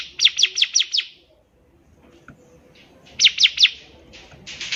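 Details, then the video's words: Bar-winged prinia song for tutoring young birds: a rapid series of five sharp, high descending notes, a pause, then three more and a buzzier burst, with faint low background noise. "CIBLEK GACOR || SANGAT COCOK UNTUK MASTERAN CIBLEK PAUD BELAJAR BUNYI"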